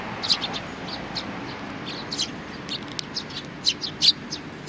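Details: Sparrows with a chick: short, high, sharp chirps scattered irregularly, some clustered in quick pairs, over a steady low background hum.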